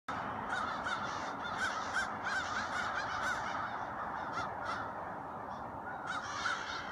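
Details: Late autumn flock of crows calling together, a dense overlapping chorus of harsh caws repeated rapidly and continuously, with steady background noise throughout.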